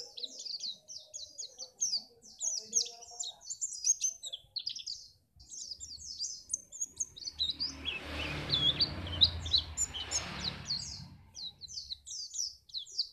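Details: Pleci, a white-eye, from Pacitan, sung to spur other birds on for bird contests: dense, high-pitched twittering goes on throughout, and a burst of rushing noise covers the middle stretch.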